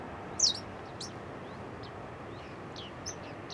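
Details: Bearded tits in a large flock over Newport Wetlands reserve in early autumn; a few short, high, downslurred pings, one louder near the start, others faint and scattered over a steady hiss of background noise.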